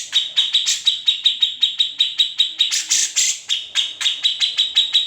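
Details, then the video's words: Grey-cheeked bulbul song recorded raw for tutoring magpie robins and green leafbirds; regular harsh ticking notes, nearly two per second, stacked on a steady piercing tone, with a louder scratchy burst near the middle. "Cucak Jenggot (Kamandanu) Masteran Wajib Murai Batu & Cucak ijo"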